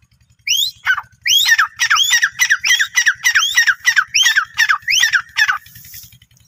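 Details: Captive Grey Francolin from a breeding pair (male and female) in Rahim Yar Khan, Punjab, Pakistan, giving a loud, harsh string of about nine rising-then-falling shrieked notes, roughly half a second apart.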